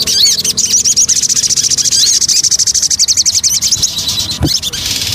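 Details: Lure song of the Javan cochoa, a fast, steady stream of high twittering notes with slurred rising whistles, continuing unbroken for several seconds before fading, with a soft thud near the end.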